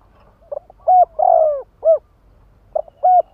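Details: Kept spotted dove decoy cooing to provoke wild doves: a soft low opening note, a clear coo, a long drawn-out throaty coo falling at the end, and a final short coo. A second phrase begins, in quiet surroundings.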